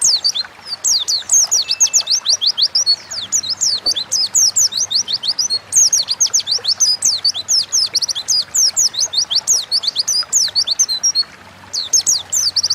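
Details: Oriental white-eye singing steadily in forest-like 'ngalas' style, meant to provoke pet birds into song: nearly continuous cascades of sharp, high-pitched downslurred notes over thirteen seconds, with barely a break and a soft background hum.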